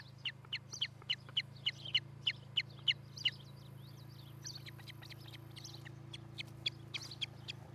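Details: Ospreys at a nest in Charlo, Montana, recorded by a nest camera on a July 2018 morning: a loud, rapid series of sharp, whistled chirps, about three per second, fading into softer, scattered chirps over a steady low hum.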